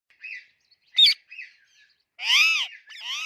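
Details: Alexandrine parakeet, described as a talking parrot, gives a short run of varied harsh, speech-like syllables: soft chatter, a sharp burst, more quiet chatter, then a loud drawn-out arched squawk and a final rising phrase.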